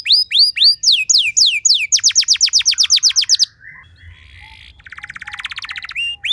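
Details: Canary song for training other canaries: quick series of rising then falling whistled notes, a long fast trill of downward sweeps, then a softer rattling roll and a closing whistle.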